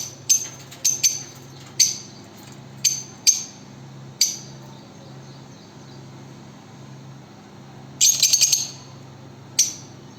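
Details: Lovebirds giving scattered shrill, high chirps, single or in short pairs, with a brief cluster of rapid squeaky notes near the end; a steady low hum fills the quiet gaps.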